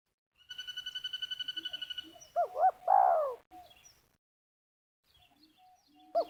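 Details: Spotted dove in Liwa, West Lampung, used to lure wild doves to a ground snare. A fast, even run of buzzy pulses comes first, then one dove phrase: two short looping notes and a longer falling coo, with another phrase starting at the end.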